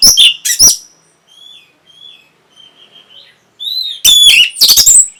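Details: Orange-headed thrush (Geokichla citrina) song: loud bursts of rich, varied high notes and rapid trills, with thin drawn-out whistles in the quieter stretch between.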